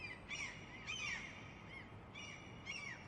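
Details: Seagulls at the ocean give harsh, nasal, arching cries in quick bursts, four calls in about three seconds, over a soft steady background hiss.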